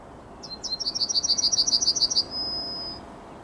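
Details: Yellowhammer delivering its morning song, 9 May 2021: a couple of opening notes, a steady rapid series of about thirteen high chirps, then a prolonged level whistle closing the phrase.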